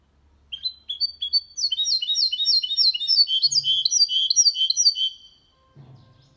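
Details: Goldfinch × canary hybrid singing a clean song without errors, meant to stimulate males to sing and teach young birds: rapid twittering, high metallic phrases of bright chirps, about three notes a second, ending in silence with faint low knocks.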